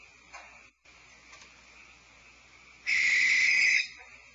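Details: One of two adult barn owls screeching near a nest cavity at night, February 2012, gives a single harsh, hissing one-second screech after fainter rasping calls; another nest cavity lies about 100 feet away.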